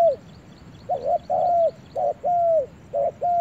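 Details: Spotted dove taken to a forest for the first time, giving mellow mid-pitched coos in pairs: a short note then a longer, slightly arched one, repeated with brief pauses, over a quiet low background hum.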